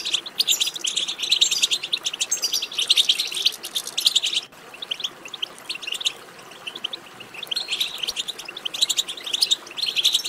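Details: European goldfinch twittering chatter (batbata), played to stimulate a goldfinch to sing: dense tinkling, buzzy high notes in rapid bursts, with a brief break near the middle before the chatter resumes.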